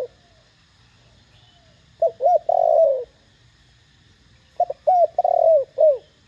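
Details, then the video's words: Two coo phrases from a spotted dove in the clear 'thổ đồng' voice, played to urge newly caught doves to call: short paired notes, then a long drawn coo, the second phrase ending with extra downslurred coos. "Tiếng cu gáy THỔ ĐỒNG âm To Rõ kích bổi nhanh nổi"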